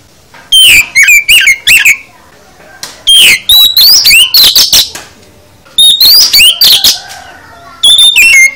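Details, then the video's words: Full fill-in style song of an oriental magpie-robin, played to coax other birds into singing back: loud bursts of rich whistles, sweeping slurred notes and quick chirps in phrases of about one to two seconds, separated by short pauses. "Kicau KACER Full Isian"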